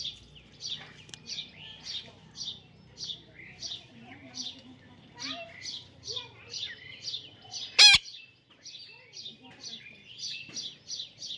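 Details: Baby parrot giving short, high, sharp chirps repeated about twice a second in a steady series, with one loud click partway through and faint low background noise.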